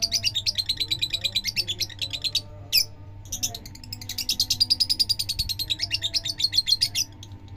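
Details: Lovebird of fighter type singing a long-duration song: fast, evenly spaced sharp chattering notes repeated several times a second in long runs, with a brief pause near the middle, over a faint low hum.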